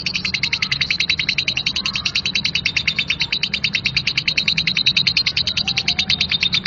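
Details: Lovebird of the type called Labet giving a rough ngekek song: a long, fast, unbroken trill of high buzzy pulses, about three per second-fraction, steady for the whole stretch over a low constant hum.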